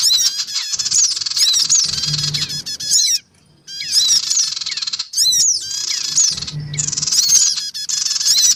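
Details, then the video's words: Black-winged cuckooshrike adults and young calling noisily, a lure recording for attracting small birds: four bursts of rasping high chatter with quick slurred chirps, separated by brief silences. "mp3 suara pikat sogon ribut. dan anak sogon"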